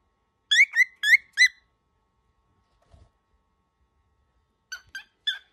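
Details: Baby cockatiel, described as very angry, gives four loud rasping upslurred squawks in quick succession, then near silence with a faint low thump, followed by a few softer squawks at the end.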